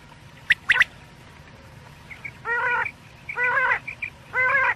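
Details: Night quail (batair) calling in Pakistan, as used for quail hunting: two sharp clicky chips open the passage, followed by three drawn-out, grating nasal notes spaced about a second apart with soft chirps between.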